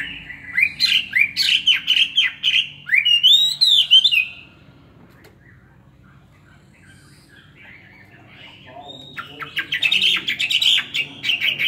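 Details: Two-year caged Chinese hwamei performing a fighting song with fanned tail: dense bursts of sharp rapid notes and a brief falling whistle, a quiet pause of several seconds, then another fast chattering run.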